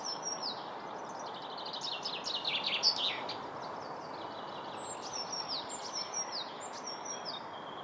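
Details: Spring song of a common chaffinch, Kurkimäki, Helsinki, Finland, 7 May 2021: a cascading trill of rapid notes falling in pitch to a loud terminal flourish, then thin high whistles from another bird and constant background hum.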